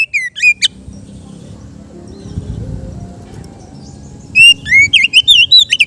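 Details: An Oriental magpie-robin kept in captivity sings in the easygoing ngeplong manner: a few sharp whistles at the start, a stretch of soft low background noise, then a lively run of fluting, up-and-down whistled notes.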